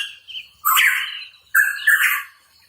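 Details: A hooded pitohui (cucak rawa papua) sings energetically: two long, loud, grating phrases with an underlying whistled tone, the second breaking into a double rasp, preceded by a faint thin whistle.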